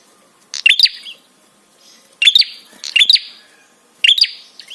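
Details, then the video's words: Prinia calling for therapy use to trigger replies and arousal in other birds: sharp, high, clipped double chirps with a short trailing whistle, three bursts spaced over a few seconds. "SUARA TRAPI PRENJAK SEKETIKA BIKIN EMOSI DAN BIRAHI"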